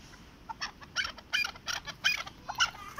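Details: Chukar partridge (keklik), Darvoz district, Tajikistan, 2020, fighting with a person: loud, harsh chuk notes in quick bursts, about three per second, irregularly spaced, over low background noise.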